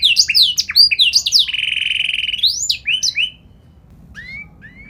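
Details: Canary singing ornate song meant to draw replies from other canaries; quick swooping whistled notes, a steady rattling mid-high trill, more slurs, then a couple of faint distant notes.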